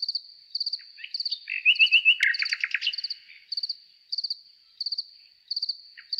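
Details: Nightingale singing a short burst of clear repeated whistled notes followed by a rapid, loud stuttering trill, set against a continuous backdrop of regular high-pitched insect-like chirps.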